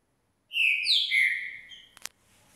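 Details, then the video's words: Green-winged saltator, a two-year-old caged bird bathed in 6 °C cold, delivers a clear, bright whistled phrase of three descending slurred notes, ending with a short click. "Trinca ferro Rock in Roll (genética de campeões ) após banho a 6graus"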